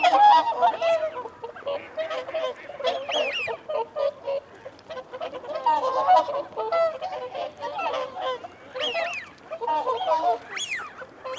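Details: A busy flock of whooper swans honks steadily while feeding and holding territory, loud bugling notes overlapping almost continuously, and occasional high swooping wigeon whistles rise above, mute swans nearby.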